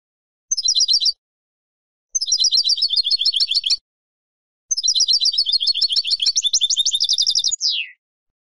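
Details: Singing European goldfinch from a Spanish silvestrismo song collection: three phrases of dense, buzzy, tinkling twittering separated by short pauses, the last longest with a quick rattle and a final descending slurred note; no background noise.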